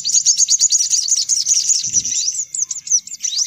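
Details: Short lure recording of sunbirds: a rapid, very high trilled series of chirps, ending in several separate quick rising whistled notes.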